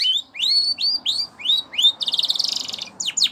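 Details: Canary performing a training song: five rising whistled slurs repeated evenly, then a rapid buzzing pulsed roll and two sharp descending notes, over faint background noise.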